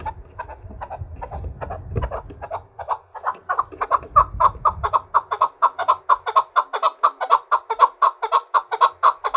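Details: Chukar partridge, trained to fight and sing against other partridges, giving its challenge song: clucking notes that start soft over a low rumble, then quicken into a loud, even series of sharp chuk-chuk calls about twice a second.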